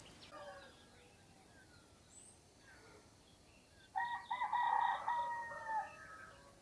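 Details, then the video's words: Early morning in Namje Village, Dhankuta, a rooster crows at a distance, recorded on a Sony camera: quiet village air, then a drawn-out crow of nearly two seconds with a steady, slightly wavering tone. "Roosters Crowing."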